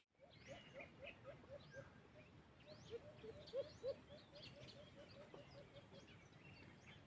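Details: White-eared brown dove, known locally as alimokon, in a wild dove hunting setting with a cage trap: a long run of soft, low hooting notes repeated rapidly and steadily, with thin chirps and whistles of other birds higher above.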